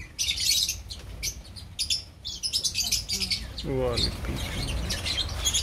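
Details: Opaline lovebirds in a colony, giving rapid high chirps and chattering notes in dense bursts, with a lower voiced sound near the middle and background hum.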